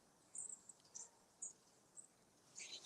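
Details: Long-tailed tits in an old churchyard with big pines give thin, very high, brief notes about every half second, ending in a slightly fuller, buzzier burst; otherwise quiet.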